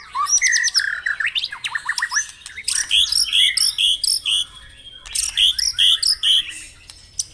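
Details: Morning dew-bathing song of a White-rumped shama, meant to get caged birds singing: bright, high whistled notes in quick staccato series, with repeated sharp chips and two pauses between energetic bursts.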